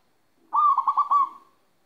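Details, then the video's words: Local zebra dove, a kept bird in moult, from Magelang, Central Java: one short cooing phrase, a bright trill of about four rolling pulses lasting under a second, ending in a soft fading tail. "Suara perkutut lokal ketika posisi mabung"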